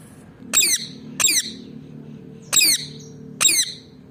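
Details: Pet rose-ringed parakeet (ringneck parrot) indoors gives four harsh, shrill squawks, each falling in pitch and spaced about a second apart, over a faint low hum.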